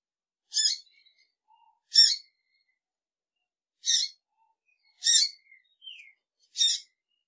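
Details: Female double-collared seedeater uttering five brief, sharp, high chips at irregular intervals of one to two seconds, with faint soft notes between, against a silent background.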